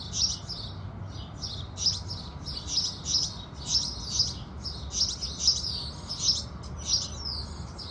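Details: House sparrows chirp in the morning with the rising sun, giving bright, high chirps in loose bursts, roughly one or two a second, over a soft low rumble.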